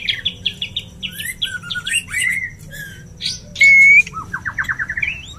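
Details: Male white-rumped shama wooing a female for mating: fast repeated chipping notes, a long pure flat whistle, then an accelerating series of rising clipped notes.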